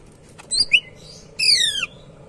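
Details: Greater green leafbird, caged and singing actively, its song used to trigger other birds: a couple of quick chirped notes, then a clear whistled phrase sliding steadily downward, with faint clicks before.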